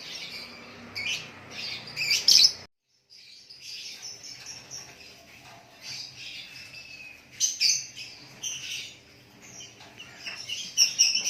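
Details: White-rumped shama in natural song: high chirping phrases, a short silent gap, then more bursts of twittering and sharp notes.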